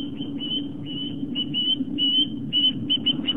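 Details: Osprey on a Long Island, New York nest watched by a live camera, September 11, 2007, fish brought to the nest; drawn-out, slightly slurred high whistles in irregular spurts over a continuous low hum.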